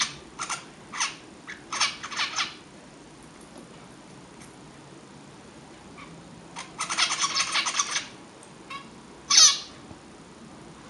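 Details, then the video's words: Young zebra finch singing: clusters of harsh, buzzy, broadband notes in short bursts separated by quiet pauses, a denser chattering run near the middle, then one sharp, high squeaky note near the end. "Chant jeune mandarin"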